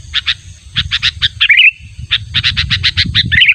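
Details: Natural sooty-headed bulbul calling insistently at a rival, as used for luring: clusters of rasping chip notes broken by two quick liquid whistled flourishes, with faint low rumble beneath.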